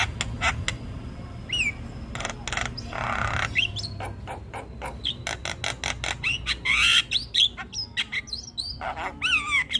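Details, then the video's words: Persistent Javan myna chattering, with a long string of dry broadband clicks, scratchy rasps and occasional sliding whistles over a steady low background hum. "Jalak kebo gacor Ngoceh tak Henti Henti"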